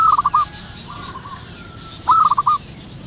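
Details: Local zebra dove calling in the wild in the morning with two lively phrases of fast, rippling coo notes two seconds apart, a softer distant dove cooing between them and faint high birdsong in the background.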